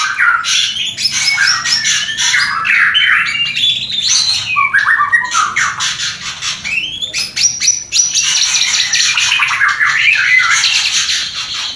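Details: White-rumped shama mating song used to rouse breeding urge in a newly paired couple; dense jumble of harsh squawky notes, chattering and rapid varied whistles, about four notes per second, loud throughout.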